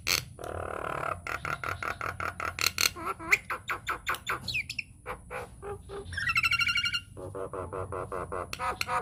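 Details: Singing Nias hill myna on a lure track to draw song from other mynas: a low buzzy note, then rapid clicks, swooping whistles, a high rattling phrase and rhythmic nasal notes.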